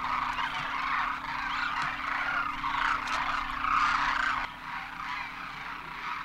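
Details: Migrating Demoiselle cranes (Koonj), flocking in thousands at a water hole in Khichan, Rajasthan, in winter. Many birds call at once in a thick wall of hoarse, rolling croaks with a constant low drone beneath. The chorus dips near the end.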